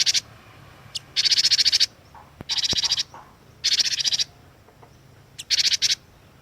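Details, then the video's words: Cinereous tit (glatik watu) calling vigorously for bird luring: five dense, high, buzzy rattling bursts, each about half a second to a second long, separated by short silent gaps. "KICAUAN GLATIK WATU PIKAT GACOR"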